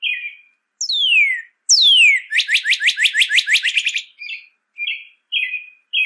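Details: Northern cardinal song for teaching pet birds: a short buzzy note, two long whistles sweeping sharply downward, then a fast rattling trill of about a dozen notes, ending in short buzzy phrases.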